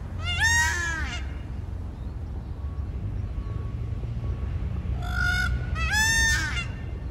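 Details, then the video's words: A peacock perched on a chalet roof in Scotland gives loud, harmonic, wailing calls, one at the start and then a pair near the end, with low rumbling background noise between. "Peacock Calls"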